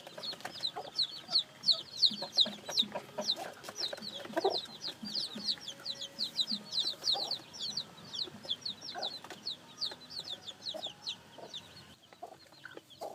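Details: Newly hatched chicks peeping in a dense run of high thin downward notes that grows quieter, with background rustle and a brief lower sound midway.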